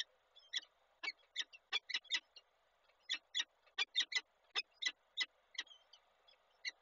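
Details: Male peregrine falcon brings breakfast to its mate, Koszalin, 27 April 2022: rapid series of harsh chittering notes in clusters, pausing briefly midway, then resuming with evenly spaced grating calls.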